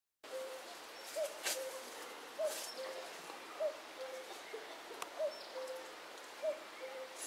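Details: Eurasian cuckoo wagging its tail while calling in the Himalayas of Uttarakhand in May, giving repeated two-note cu-coo calls about every 1.2 seconds, a higher first note and lower second, over steady background noise and faint rustles.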